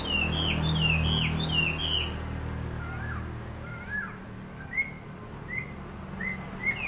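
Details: Wambi bird giving quick downward-slurred whistles in a run, then fainter, more widely spaced whistled notes, with a low rumbling background.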